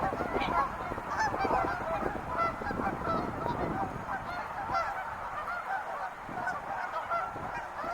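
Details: Wild geese calling in a noisy chorus of overlapping honks, with low rumbling background noise strongest in the first half.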